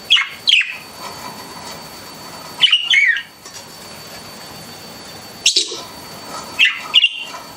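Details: Pet budgies indoors giving short, bright chirps in small bursts of two or three, spaced a couple of seconds apart over a quiet room background.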